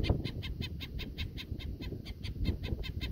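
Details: A black-necked stilt (identity uncertain) on a sod farm near Indiantown, Florida, agitated and guarding at least one chick in the grass, gives sharp, yelping alarm notes, about five a second in a steady run, over a low rumble of wind.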